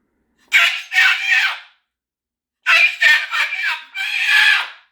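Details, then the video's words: Pet Moluccan cockatoo indoors during a "meltdown", giving harsh, very loud screaming bursts, its loud contact calls: two long raspy yells, then three more after a brief pause. "How Loud is a Moluccan Cockatoo?"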